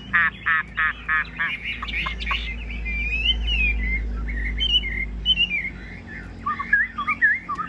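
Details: Caged Chinese hwamei from Vietnam giving several sharp repeated notes and then looping whistled phrases, over a steady low hum that runs through the middle of the recording.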